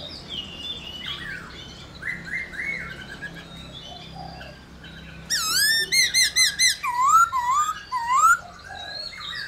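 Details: Black-throated laughingthrush, used to prompt other laughingthrushes to sing, starts with softer varied whistles, then bursts into a loud rapid series of swooping whistled notes followed by several rising looped whistles.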